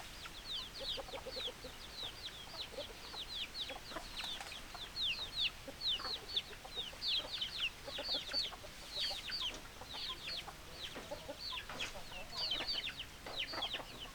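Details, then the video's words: Continuous chorus of chickens: dozens of high, piercing, falling peeps overlapping throughout, with occasional lower clucks and brief louder squeaks. "Chicken Sounds Noises Hens Clucking Roosters Crowing"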